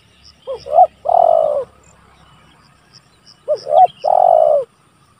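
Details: Spotted dove calling rivals, used as a lure and training recording: two phrases, each a pair of short rising coos followed by a long, steady, slightly falling coo, with faint high chirps of small birds in the background.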